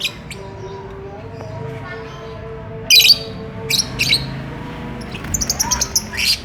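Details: Lovebirds courting, wanting to mate: harsh, high squawks in separate bursts, then a rapid string of short chirps toward the end, over a steady low tonal hum.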